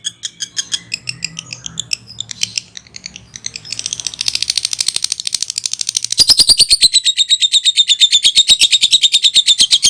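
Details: Lovebird chattering continuously for ten seconds, the ngekek call used to lure birds: dense, rapid, buzzy trill notes that grow louder midway and settle into a fast regular rattle near four kilohertz.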